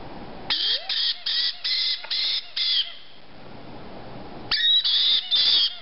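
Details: Hungry white-bellied caique chicks, 5 to 6 weeks old, giving harsh, rasping begging squawks in rapid bursts of about six, a pause, then another burst of three, some notes with a whistled overtone.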